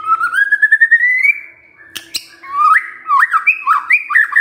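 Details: Murai batu, the white-rumped shama, in kretekan meant to stir up emotion: a long whistle rising steadily, two sharp cracking clicks, then a run of looping, up-and-down whistled notes repeated about every half second.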